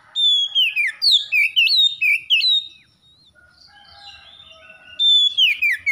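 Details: Magpie-robin singing gacor: rapid series of loud, down-slurred whistled notes about twice per second, a softer warbling interlude, then the loud whistled phrases return.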